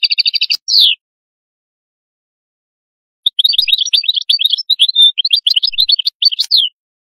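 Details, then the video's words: Atlantic canary singing the qadous song: a short fast double trill and a falling slur, then a silent pause of about two seconds before a long run of quick, varied, high chirps and whistles. "تغريد القادوس"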